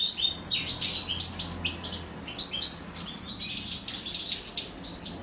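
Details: Goldfinch nestlings calling while the female feeds them; dense high twittering and buzzy chirps, with a faint low hum underneath.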